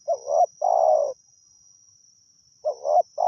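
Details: Spotted dove from a wild forest bird, recorded during decoy luring in Thailand: low mellow coos, a short double note then a longer falling coo, repeated after a pause. A steady high insect-like whine runs throughout.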